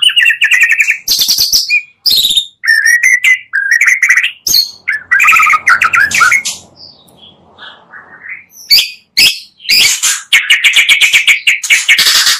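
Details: Magpie-robin lure blending two songs to raise other birds' excitement: loud varied bursts of buzzy, chattering notes and whistles broken by short pauses, with a quieter stretch near the middle.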